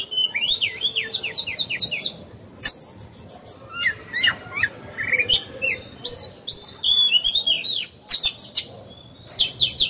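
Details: Oriental magpie-robin used as a caged decoy to stimulate singing in other birds. Lively bouts of bouncing whistled notes, rapid chips and short trills repeat across the recording with brief pauses.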